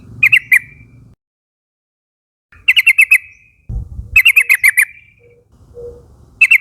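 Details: Yellow-vented bulbuls from a young wild forest flock calling companions to join the chorus; three bursts of three to five rapid, bright chattering notes separated by pauses, with low rumbling background noise.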